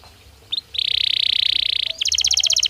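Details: Belgian canary singing naturally: two short chirps, then a steady buzzy rolling trill held over a second, ending in a rapid series of sharp high notes.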